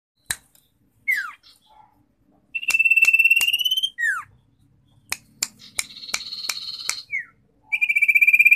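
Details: Common iora song: long, level, rapidly pulsed trilled notes alternate with quick downward-slurred whistles, a buzzy rattling phrase, and scattered sharp dry clicks, with short silences between.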